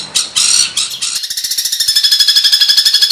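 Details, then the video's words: Songbird on a competition-bird training master, harsh fill style: a few scratchy squawked bursts, then an accelerating machine-gun rattle of rapid, evenly spaced harsh notes. "suara tembakan kasar untuk masteran"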